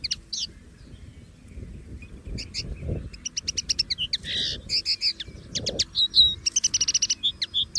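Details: Common linnet, free in nature, sings a varied warbling twitter of rapid chirps, short trills and buzzy phrases, growing denser toward the end, over light low background noise.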